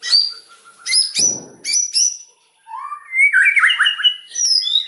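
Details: White-rumped shama giving loud, rapid-fire 'nembak' song: clear high whistled notes and slurred upward phrases, then a burst of fast, varied twittering and warbled notes, with brief pauses between phrases.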